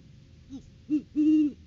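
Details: Great horned owl during courting season at a nest tree, filmed by a live camera on January 9, 2023, when a male brought a rodent gift to his mate: one soft short note, then two deep hoots, the last one longer.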